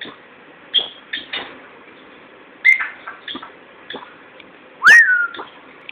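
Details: Fourteen-year-old pet Timneh African grey parrot chatting in its new home; sparse soft clicks with a few short whistles and a loud, clear upswept whistle near the end in a quiet room.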